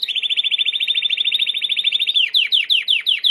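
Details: Training song of a Timbrado canary: a sustained fast bubbling roll at one pitch, switching to a slower series of sharp descending slurred notes.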